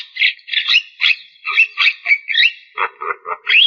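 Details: Javan myna chattering steadily: rapid harsh, nasal notes repeated two or three times a second, mixing grating chips with brief whistled twists, with no pause.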